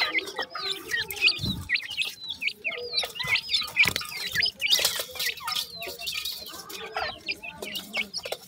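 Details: New pair of dakhni teetar (francolin) chicks calling: dense, overlapping high peeps and chirps, many rising or hooked, in rapid irregular bursts, with scratching and tapping noises between them.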